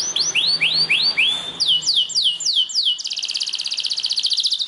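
A Belgian canary sings a bright run of rising, swooping whistles, about four per second, ending in a fast, buzzy trill.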